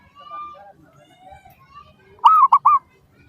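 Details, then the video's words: Zebra dove lure song for getting other doves to answer: faint thin whistles and murmurs first, then one loud phrase of three ringing coos near the end. "PANCINGAN Burung Perkutut Suara"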